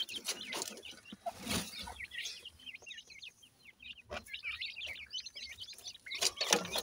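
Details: Pakistani teetar partridge chicks being fed: rapid, high chirping peeps tumbling over one another in quick irregular runs, broken by a few sharp clattering noises.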